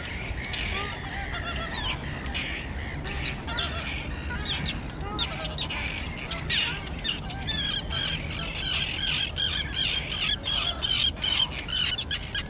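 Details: Young terns, recently fledged and now flying, at an island colony overgrown with dense grass give harsh, grating squawks in a dense, overlapping chorus, several calls each second, over a low background rumble.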